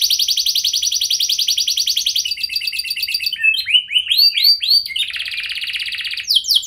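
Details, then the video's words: Canary giving a lure song to set other canaries singing: a long rapid buzzy trill, then chattering notes, arched whistled syllables and another fast trill. "99,99% Pasti Kenari Lain Langsung Respon Dengan Pancingan Kenari Gacor Lagu Istimewa Ini"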